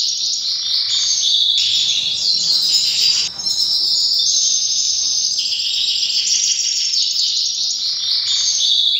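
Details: Canary singing powerfully in breeding season: a continuous, loud, high song of dense rolling trills and whistled tours that shift pitch repeatedly with hardly a pause over nine seconds.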